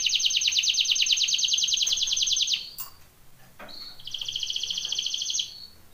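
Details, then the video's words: Singing canary, song for training: a loud, rapid high trill lasting over two seconds, a short pause with a thin whistle, then a second slightly softer trill of quick repeated notes. "BEST canary singing / CANTO CANARIO CANTANDO FOR TRAINING / CANARY TRAINING SONG"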